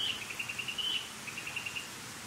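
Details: A Narcissus flycatcher sings on 23 May, giving two quick runs of short, clear notes, steady in pitch, with a soft hiss of background noise.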